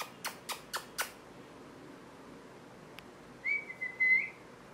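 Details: Parrot: four sharp clicks or taps about a quarter second apart, a pause with one more click, then a whistled note that wavers and rises briefly at its close.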